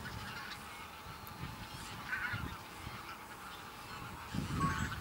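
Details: Wild Bean Geese, a flock of thousands in a field on Texel, Holland, November 2014: a softer, distant wall of goose chatter with a few clearer nasal honks standing out, over low wind noise.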